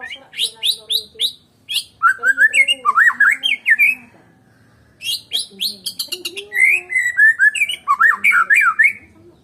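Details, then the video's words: White-rumped shama of the Medan type singing without an opponent: bursts of high chattering notes alternate with loud, fast, looping whistled warbles in two long phrases separated by a short pause. "KICAUAN BURUNG MURAI BATU MEDAN TANPA LAWAN"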